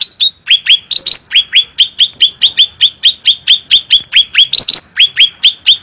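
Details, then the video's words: Cucak rante bulbul singing with a clear, powerful voice for use as a training master. A long string of quick rising whistled notes, around two per second, with brief squeaky flourishes near the start and the end. "Cucak Rante Gacor Suara Bening Power Tebal"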